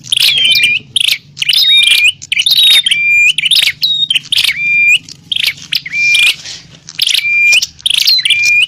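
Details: Bar-winged prinia fighting call used to lure wild prinias: loud, busy bursts of harsh chattering notes mixed with sharp whistled slurs, repeated in quick clusters with brief gaps, with a low hum underneath.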